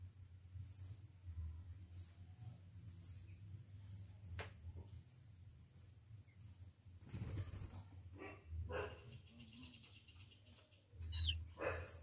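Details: One-week-old Oriental magpie-robin chicks being hand-fed, uttering short, high, thin chirps in irregular bursts, with low rumbling handling noise and a steady high electrical whine.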